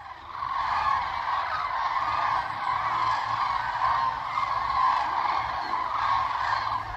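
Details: Large flock of common cranes resting on lagoon meadows near Ribnitz on the Baltic coast of Germany, heard from far off: a dense, continuous chorus of overlapping trumpeting calls, steady without pause.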